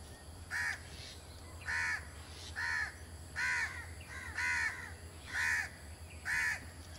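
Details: A blue-tailed bee-eater at Jeram Mangrove Forest, Selangor, Malaysia, on 2 October 2010, gives about seven short, rolling, slightly harsh calls, roughly one each second, over a steady low hum.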